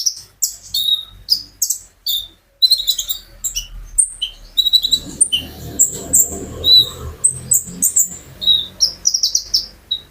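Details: Captive brown-throated sunbird in energetic song used to stimulate other birds; quick high chirps and downslurred whistles throughout, with a soft low rustling noise in the second half.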